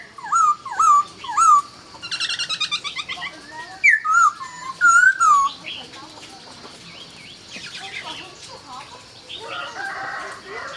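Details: Laughingthrush greeting the dawn with three loud whistled notes, then a buzzy chattering stretch and sweeping slurred whistles, fading into quieter twittering.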